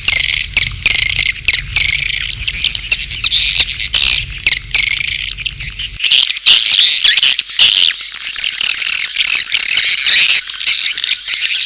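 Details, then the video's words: Edible-nest swiftlets giving mating calls alongside chick calls. High, shrill chirps pour out in an unbroken chatter with rapid clicks, and a low hum drops away after about six seconds. "SP.BIRAHI+ANAKAN+RBW 1 ( LINK LANGSUNG DOWNLOAD MP3 SUARA WALET DI DESKRISI)"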